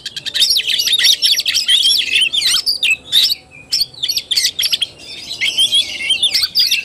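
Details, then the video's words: Oriental magpie-robin in tarung, or fighting, singing style, recorded 17 August 2021. Loud, continuous whistles and harsh chatter run together at a high pitch, then it changes to shorter spaced bursts and a steady dense stretch at the close. "KACER TARUNG"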